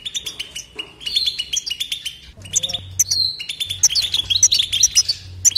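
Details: European goldfinch in continuous twittering song without pauses: rapid high tinkling chirps and trills, with short buzzy notes and brief sustained whistles scattered through, in bursts separated by tiny gaps.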